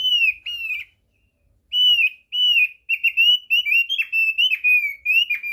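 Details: Lure recording of a thick-billed white-eye, meant to spur birds into singing: short phrases of pure, high whistles, then a long run of rapid downslurred notes after a brief pause.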